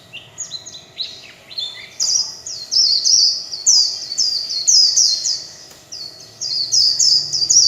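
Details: Líu chòe singing by a kept warbling white-eye, opening with a few quieter stepped notes, then a long sequence of loud, high, swept twitters repeated in quick succession.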